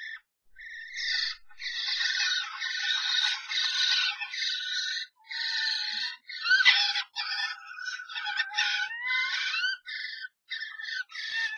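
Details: Heated nest box fight between three common starlings after an intruder joins a pair: dense, loud, rasping chatter mixed with squealing whistled slides, almost unbroken for over ten seconds.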